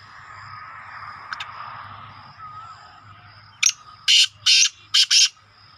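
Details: Young black francolin giving a burst of five loud, harsh, rasping notes in quick succession after a quiet start, over a steady high insect-like hum and faint distant bird whistles.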